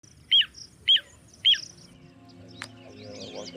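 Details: Little ringed plover (Charadrius dubius) calling while feeding on a riverbed: three short, high, down-slurred whistles about half a second apart, then quiet over faint background chatter and a sharp click.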